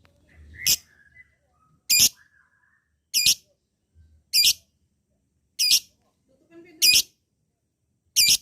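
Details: Lovebird sound played to goad lazy rival birds into a long ngekek trill: sharp, high, harsh chirps repeated roughly every one and a quarter seconds in a steady series, with near silence between them.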